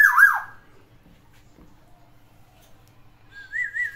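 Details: Black-naped Oriole, one bird kept at home, singing a song trained with three variations: a loud, slurred falling whistle opens, then quiet, and finally a fluty, evenly wavering whistle that rises slightly, repeated in quick undulations.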